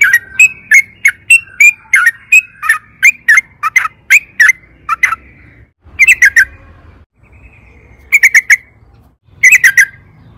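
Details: Yellow-vented bulbul singing energetically, a song meant to lure caged bulbuls into singing: bright chattering phrases of clipped notes, then short bursts of three to four notes separated by pauses, with a faint low hum behind.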